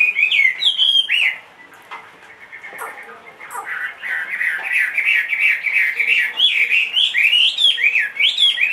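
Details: Big-bodied caged Chinese hwamei, two and a half years old, that sings in any surroundings: bright looping whistles, a brief quieter pause, then rapid repeated rising and falling warbles continuing steadily.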